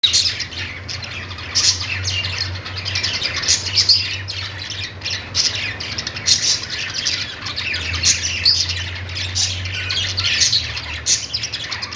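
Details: Budgerigars making happy chirping sounds: dense, overlapping squawky chatter and warbles from several birds, with bright high chirps throughout and a steady low hum underneath.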